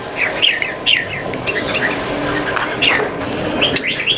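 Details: Caged red-whiskered bulbuls kept in Singapore, one bird in molt, in a singing contest; lively chirpy whistled phrases, short rising and falling notes repeated rapidly, several birds overlapping over steady background hiss.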